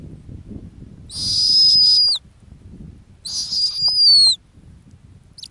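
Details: Female snowy owl nesting on the ground in the Arctic, giving two high, harsh, whistled calls about a second long, each sliding down at the end, about two seconds apart, over low rumbling background noise.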